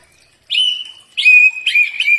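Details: Common iora, known locally as cak ijo, singing a master recording for training birds: three long, clear sustained whistles, each starting with a sharp attack and holding a steady pitch, in a quiet background.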